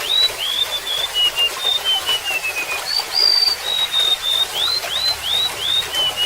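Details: High whistled song of a golden-bellied gerygone: a few rising slurs, a long wavering descending series, a clear sustained high note, then more level and upslurred whistles, all over continuous babbling water.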